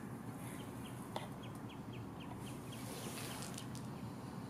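A common greenshank gives a faint run of short, clear, down-slurred notes, about three or four a second, over steady low wind rumble.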